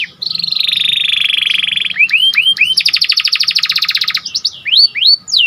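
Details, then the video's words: Panda canary in full gacor song: a long steady buzzy tone, then bright upward-hooked whistles and a rapid chattering trill of dense clicks, finishing with rising and falling whistled slurs. "Meningkatkan Emosi Dengan Kicauan Burung Kenari Panda Gacor"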